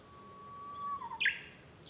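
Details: Japanese bush warbler recorded from a home room on 5 May 2013: a drawn-out, level whistle rising slightly at its end, followed by a sudden loud, explosive burst of two quick notes.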